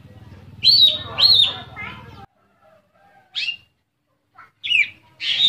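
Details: Oriental magpie-robin (kacer) pouring out a gacor song rich in isian, played to coax silent magpie-robins into singing; two loud whistled flourishes over a low hum, a pause, then brief sharp chips and whistles.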